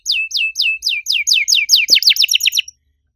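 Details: Canary singing loudly in a unique style: a clear run of about fourteen downward-slurred whistled notes, accelerating slightly toward the end before stopping, with one brief low knock midway.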